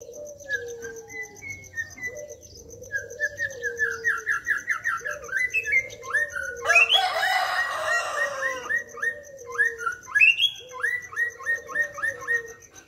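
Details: Young wild-caught White-rumped shama from Pekanbaru in the morning, giving its characteristic ngukluk calls: low, rolling, repeated notes under rapid whistled trills, with a brief noisy burst midway.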